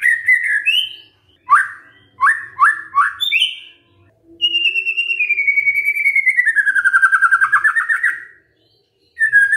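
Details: Magpie-robin lure song to draw an answer from a quiet bird: a few whistles and clipped notes, then a long, rapidly pulsed trill that slowly slides downward before a final short whistle.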